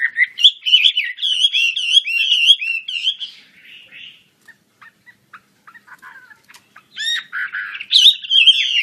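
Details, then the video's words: Chinese hwamei in full song with wings spread: loud repeated whistled, wavering phrases for three seconds, a quiet stretch of scattered soft chips, then strong rising whistles and buzzy notes return. "KICAU HWAMEI WAMBI KEMBANG GACOR BUKA SAYAP"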